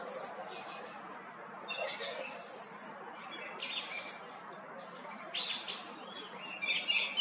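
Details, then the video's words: A song thrush, recorded 20 March 2020, sings bright, high phrases of clipped, repeated notes and sharp whistles, each burst separated by brief pauses, over a faint low hum. "Song thrush and short song"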